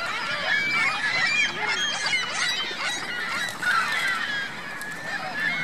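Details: Geese and goslings at Virginia Lake, Reno; rapid, repeated honks, roughly three per second, with crisp, arched nasal notes from several birds overlapping.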